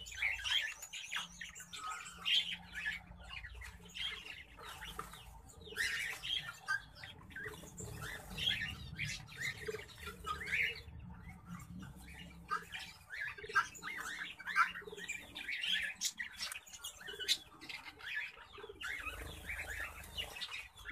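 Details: Orange-breasted zebra finches, a pair of a rare mutation, calling steadily with short nasal chirps and buzzy beeps in irregular quick succession, some overlapping, over a low background rumble.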